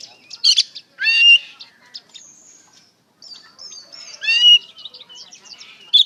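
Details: Oriental magpie-robin in the lively ngeplong song style, used as a lure to make other magpie-robins answer; bright whistled phrases with rising sweeps and chattery buzzy notes, a short gap midway.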